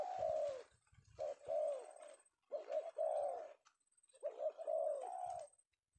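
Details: Male spotted dove of penguku type, sought by Indonesian bird-catchers and caught this afternoon; three bursts of loud close cooing, each a quick stutter of notes followed by long warbling coos, separated by brief silences.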